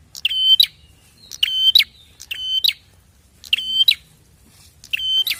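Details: Prinia call used to coax other prinias into calling back: five ringing, buzzy notes of even pitch framed by sharp clicks, delivered at slightly uneven intervals over a faint low hum.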